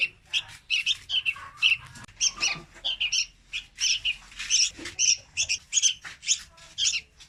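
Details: Young red-whiskered bulbul singing, a recording meant to lure birds into traps. Rapid, scratchy chirps and shrill notes tumble along almost without pause, in jumbled clusters.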